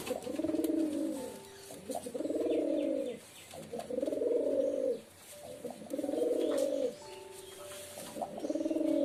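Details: Repeated pigeon coos, each a low, humming, rolling phrase lasting about a second, separated by short pauses, with faint clicks behind.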